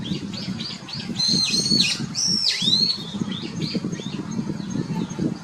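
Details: Brown-eared Bulbul, a common wild bird in Japan, calling with two loud piercing squeals, the second dropping sharply, amid softer chirps and a constant low background rumble.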